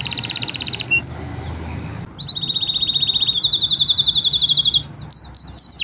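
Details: Canary training song from five birds: a rapid high trill, a brief lull, then a long rolling trill rising into a whistled buzzy phrase and a few sharp downward sweeps.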